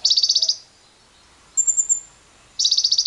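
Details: Lovebird trilling as a lure to set other lovebirds trilling long, with wild birds: two dense, harsh, rapidly pulsed bursts of about half a second, separated by a thin, very high twittering trill from another bird.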